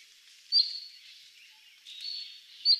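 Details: Cinnamon-chested bee-eater (Merops oreobates) in highland forest of Aberdare National Park, Kenya, giving two brief, high, trilled chirps about two seconds apart over faint hiss.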